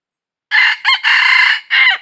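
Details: Crowing red junglefowl, recorded while trapping wild junglefowl on 22 December 2021. The call comes in four loud sections: a short first note, a quick choppy syllable, a long steady drawn-out phrase, then a closing note that drops in pitch. No other sounds.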